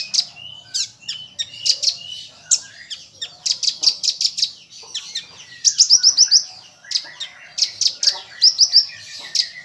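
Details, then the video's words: Full-burst common iora song with nuthatch-style filler, played to train other songbirds. Dense, high, sharp chirps and quick trills pour out in uneven clusters, with occasional whistled slurs and a faint background hum. "Konin Isian Rambatan Full Tembakan"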